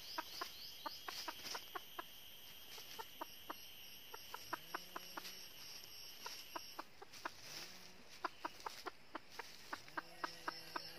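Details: Red-eared jungle hen from northern Vietnam, used as a trapping decoy, clucks in scattered short taps. A few low soft calls and a continuous insect chorus are heard in the background.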